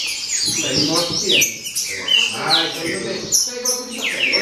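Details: Green-winged saltator baderna song with sharp falling whistles and twittery notes in uneven bursts, partly mixed with low background voices.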